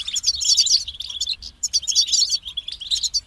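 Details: Loud European goldfinch song: two energetic bursts of rapid, high, tinkling twitters and trills separated by a brief pause.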